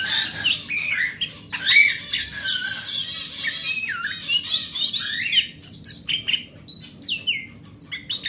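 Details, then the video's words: Wild oriental magpie-robin song played as a lure to prompt another magpie-robin that has stopped singing: loud, dense, continuous run of varied whistles mixed with harsh squawky notes and quick rising slurs throughout. "Suara Master Burung Kacer"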